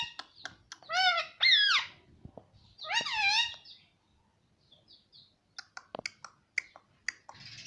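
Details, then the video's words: Talking Indian ringneck parakeet, speaking Hindi words like "mummy" and "mitthu"; two loud wavering voice-like phrases near the start, then quieter clicks, soft chirps and short sharp notes. "Bolne wala tota - mummy mummy bolta tota - talking parrot - mitthu mitthu"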